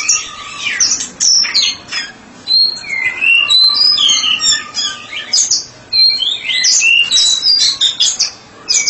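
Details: White-rumped shama, a therapy specialist bird, in full ngeplong song: bright high whistles, quick upward and downward slurs and twittering notes, a few short silences between lively phrases.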